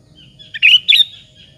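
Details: Sooty-headed bulbul song used as a lure to provoke other bulbuls into answering: a short phrase of two bright, warbled notes around the middle, rich and slightly bubbly, over a faint low hum.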